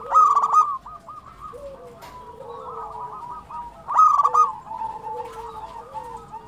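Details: Local zebra doves singing actively: several overlapping birds give stuttering, trilled coos in low repeated phrases, with two louder, closer bursts about four seconds apart.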